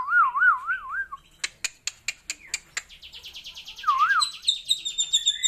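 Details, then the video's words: Asian glossy starling, locally called raja perling, singing a rich, unusual song: looping warbled whistles, then a run of sharp clicks, then a fast buzzy trill ending in high repeated notes. "BURUNG RAJA PERLING ISIAN MEWAH UNIK"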